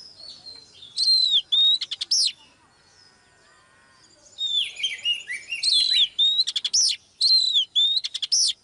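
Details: Female Oriental magpie-robin song meant to get a male singing: a burst of whistles and clicks, a pause with faint background, then denser phrases of sliding whistles and rapid rattles.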